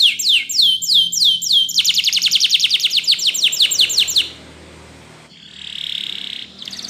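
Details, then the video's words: Spanish Timbrado canary singing a training song: quick repeated downward-sweeping notes, then a fast dense trill, ending in a softer hissing rattle after a short pause. "Your Canary Will Not Stop Singing With This Training Song"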